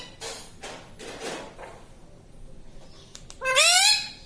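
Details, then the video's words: Pet parrot that talks and says mummy: soft rustling, then one short, nasal, harmonic, speech-like call, rising slightly at the end. "Tota Tota mitthu mitthu - Bolne wala tota - tota talk - mummy bolne wala mitthu - talking parrot"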